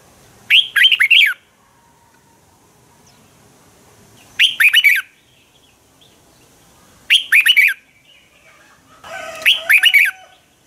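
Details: Red-whiskered bulbul morning fighting song used to stimulate caged birds; four loud bursts of rapid rising and falling whistles, spaced about two to three seconds apart, a softer background whistle under the last.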